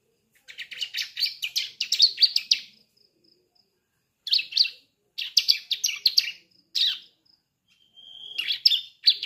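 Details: Young Sunda streaked-tit (ciblek) just beginning to learn to sing, its song used to prompt adult birds to sing; rapid bursts of high, scratchy chirps and trills in phrases with short pauses, plus a thin whistled note near the end.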